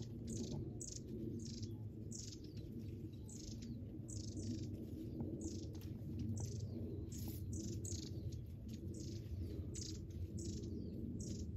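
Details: Wild birds of several kinds sounding from within a thicket: a long run of brief, high, sharp chirps repeated roughly every half second, over a constant deep background rumble.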